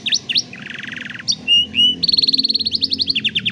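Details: A canary sings for young birds learning song, recorded by cellphone: a buzzy rolled trill, two sustained whistles, then a quick run of repeated sharp chips.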